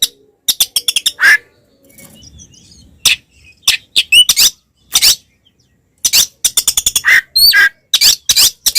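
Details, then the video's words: Kacer, the Oriental magpie-robin, in combative 'tarung konslet' song meant to rile other males; sharp staccato chips in quick bursts, scattered buzzy and whistled notes, gaps of silence between outbursts. "SUARA BURUNG kacer gacor TARUNG konslet ini paling AMPUH buat PANCINGAN KACER agar EMOSI"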